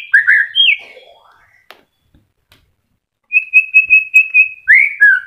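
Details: Kept white-rumped shama in early moult, still singing, offered as a lure for shamas that have fallen silent: swooping whistles and a falling warble, a silent gap, then a run of even ringing notes ending in slurred whistles.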